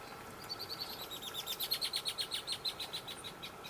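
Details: Red-winged Blackbird heard on a birding tour on 21 May 2022 gives a high, fast run of about twenty scratchy repeated notes lasting roughly three seconds, over a low, steady background hum.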